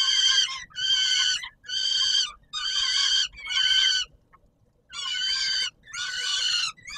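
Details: Feeding-time calls of a peregrine falcon at the Palace of Culture and Science, Warsaw, Poland, 17 July 2022: evenly spaced harsh, buzzy notes, about five in a row, a pause, then two more.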